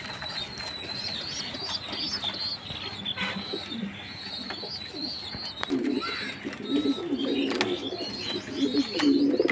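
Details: Jacobin pigeon, a fancy breed, heard among other caged birds: deep, burbling coos repeat in the second half, while high, squeaky chirps from small birds run throughout.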